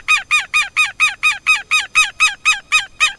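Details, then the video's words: Southern lapwing at close range, delivering a steady, rapid string of loud, raspy, downward-bending notes, about four per second, evenly spaced throughout. "Canto do QUERO-QUERO"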